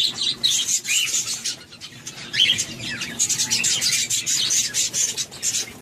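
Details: Newly hatched quail chicks, hatched by a female budgie, peep in thin, high-pitched chirps that overlap in a busy, continuous twittering.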